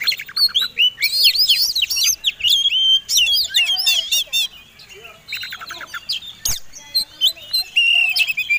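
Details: White-rumped shama in fighting song, a provocation lure for other songbirds: long, varied outpouring of whistles, trills, buzzy rattles and mimicked-sounding chatter, with brief pauses and one sharp click.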